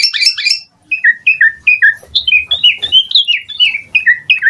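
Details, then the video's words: Asian pied starling singing a mimicry-filled song for training other starlings: a burst of high warbled notes, then a long series of short falling whistles, about four per second, with faint low background noise. "JALAK SUREN GACOR FULL ISIAN Mompa"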